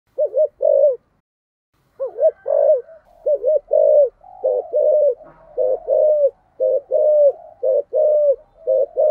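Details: Spotted dove decoy bird giving a 'thúc gù' coo in the 'giọng sấm thổ' voice style; low hooting notes in short clipped pairs, a brief opening coo then a longer falling one, restarting after a pause near two seconds.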